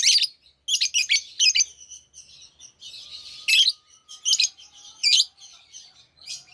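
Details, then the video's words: Lovebirds singing and chirping almost continuously: rasping high chirps in rapid clusters over softer twittering, louder bursts roughly every second, and a faint thin steady tone in the background. "lovebirds singing &chirping sounds"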